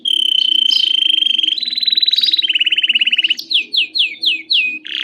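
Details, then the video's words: Canary song played to get other canaries singing: fast rolling trills stepping between pitch levels, then a string of short falling whistled notes about three per second. "Impossível seu canário não cantar ao ouvir esse canto/It's impossible for your canary not to sing."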